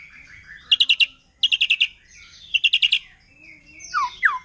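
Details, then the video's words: White-rumped shama, wild in forest, whose song is said to agitate other shamas: three short bursts of fast, rattling notes at even intervals, then a few sharp descending slurred notes over a faint low whistle. "Murai Batu Hutan Kalau udah Nembak Bikin Emosi Burung Murai Lain"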